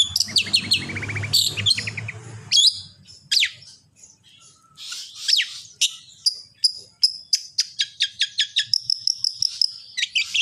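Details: Long-tailed shrike song used as a master recording to make other shrikes sing: a first burst of rapid harsh chattering notes, then high sharp whistles and buzzy trills in quick series, some repeated evenly, with a faint low hum beneath.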